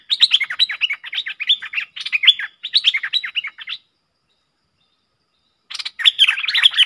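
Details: Streak-eared bulbul pair dueling fiercely in song, recorded 30 October 2021: rapid chattering, bubbly phrases of slurred notes, repeated in dense bursts for nearly four seconds, a pause, then another burst.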